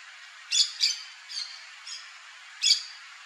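Yellow-chevroned parakeet giving five harsh, shrill squawks in about three seconds, two close together then spaced singly, over a steady hiss.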